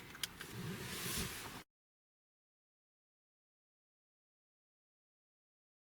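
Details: A short burst of rustling noise with a couple of clicks, then complete silence.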